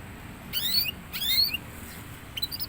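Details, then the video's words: Young canary starting to sing actively: two bright, fast down-sweeping phrases with sliding whistled notes, then a short burst of sharp chirps at the end, over a low steady background hum. "suara burung kenari paud mulai gacor"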